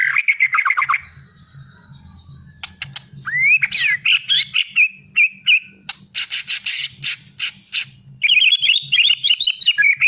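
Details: White-rumped shama singing a rich, varied song: rapid whistled phrases, sweeping upslurred notes, harsh buzzy bursts and fast chattering trills, with a steady low hum underneath.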